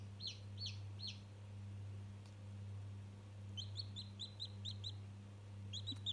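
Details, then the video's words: One-day-old chick talking to a toy: three separate downward peeps, a pause, then a long evenly spaced string of quick high cheeps, with a steady low hum throughout. "Разговорчивый цыплёнок ИЛИ общение с игрушкой"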